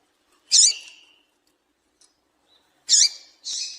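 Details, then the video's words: Female double-collared seedeater calling, used to stimulate males to sing: three short, high, sharp chirps, two together near the start and a later pair, the last one more drawn out and buzzy, in a quiet setting. "Piado de Fêmea de Coleiro Quente para Esquentar Coleiro"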